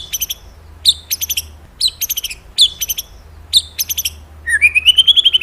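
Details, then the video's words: High, clipped stacked notes in spaced groups from a magpie-robin, ending in a rising, rapidly pulsed trill. "Suara birung murai mantap&ampuh"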